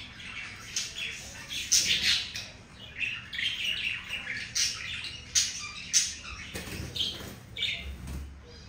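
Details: Two pet budgerigars while breeding indoors give continuous warbling chatter with sharp squawky chirps and clicks, loud bursts every second or so, with a low hum underneath.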